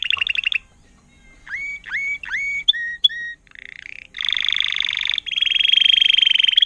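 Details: Timbrado canary, trained 2018 bird in agate topaz intense yellow: looping dropping notes, brief whistles, then dense metallic rattling trills held for more than a second each.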